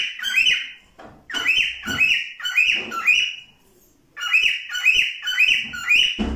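A cockatiel sings in bursts of bright, slurred whistles and chirps, roughly two notes a second, with a brief pause midway; recorded indoors.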